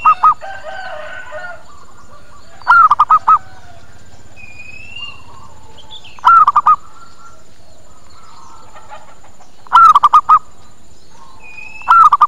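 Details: Zebra dove lure call for attracting birds that then answer: five bursts of rapid staccato coos repeated about every three and a half seconds, with scattered high whistles and chirps from other birds between bursts.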